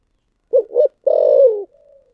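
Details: One complete spotted dove coo in the thổ sấm voice: two short rounded notes, then a long, deep, gradually falling coo that fades into a quiet trailing murmur.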